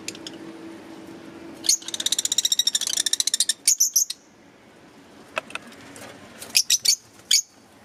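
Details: Green Fischer's lovebirds chirping: a fast rattling run of about twenty ticking notes, then a burst of shrill chirps, a pause, and a final cluster of piercing high chirps over a low hum.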